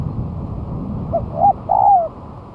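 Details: Single phrase from a spotted dove used as a lure after its moult: two faint short coos rising to a long drawn-out falling coo, over low rumbling background sound.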